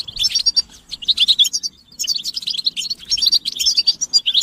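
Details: Chorus of European goldfinches calling to excite males into song: two lively phrases of high, bright twittering and chattering notes separated by a short quiet gap.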